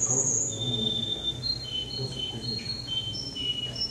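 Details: Competing male canary number ten at a contest in Rostov-on-Don, Russia, 22 January 2011, singing sustained clear whistled notes and smooth rolls that step between pitches, continuous throughout, with low background hum.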